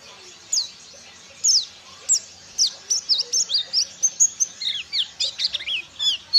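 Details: Ciremai white-eye (pleci) learning ngalas, wild-bird song material, known for a full-power voice and complete repertoire: high, thin sweeping whistles, first spaced about a second apart, then quickening into a steady run of short descending and rising notes.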